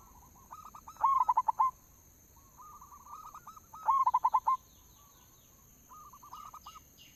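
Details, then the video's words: Zebra doves of a local strain heard as a lure: two loud bursts of rapid staccato coos about three seconds apart, alternating with softer answering coo phrases from other doves. "suara pancingan perkutut lokal"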